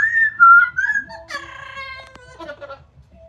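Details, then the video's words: Pet Amazon parrot sitting outside in sunshine after a shower, noisy while drying off. A clear, slightly wavering whistle slides downward, then gives way to a cluster of rich, nasal, harmonic chatter notes that fade out quickly. "the Parrot singing talking and making noise outside after shower"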